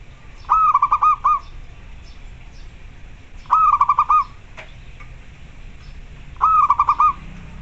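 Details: Calling local zebra dove, meant as a training model to stir other doves' breeding urge and singing. Three phrases of rapid, ringing clipped coo notes arrive about every three seconds against a low steady hum.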